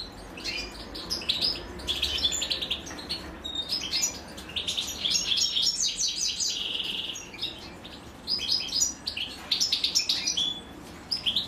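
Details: European goldfinch young beg during feeding by the female. Waves of rapid, high, overlapping chirps and buzzy trills come in several surges with brief lulls between.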